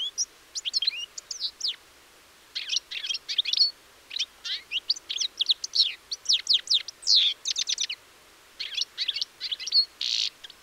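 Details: European goldfinch (Carduelis carduelis) recorded 04.04.2018, singing a fast, tinkling medley of liquid twitters and bright notes in bursts with brief pauses between phrases.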